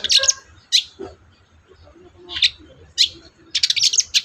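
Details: Long-tailed shrike singing to provoke a silent shrike: scratchy notes and harsh bursts separated by a pause with low muffled sounds, ending in a rapid stuttering chatter.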